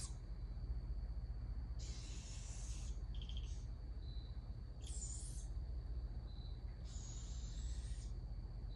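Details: Barred owl young screeching to be fed by an adult: rough, hissing bursts about a second long, repeated every couple of seconds, with a few shorter squeaky notes between. A thin continuous whine and low rumble run throughout.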